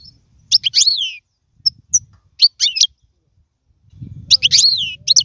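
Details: European goldfinch singing as a model for young birds: short, separate bursts of bright chirps and slurred downward whistles, with quiet gaps between phrases and a faint low rumble.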